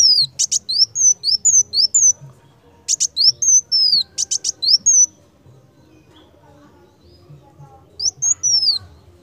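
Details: Prolific kolibri wulung sunbird song for tutoring other birds: clusters of shrill falling whistles and crackling clicks in three phrases, with quieter gaps between them.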